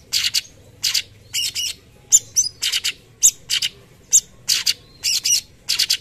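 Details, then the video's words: Energetic "tembakan" song from a cucak cungkok: separate harsh, buzzy bursts with occasional piercing whistled pips, spaced roughly half a second apart. "Masteran tembakan cucak cungkok gacor"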